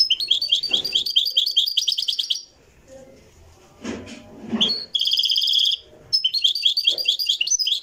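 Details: Moroccan goldfinch singing in the Marrakchi style, recorded live: bursts of fast, bright, liquid twitters and metallic trills, broken by short pauses with people talking quietly in the background.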